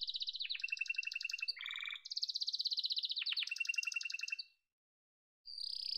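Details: Yellow domestic canary delivering rapid pulsed trills alternating between high and lower pitches, a short pause, then a high whistled trill resuming.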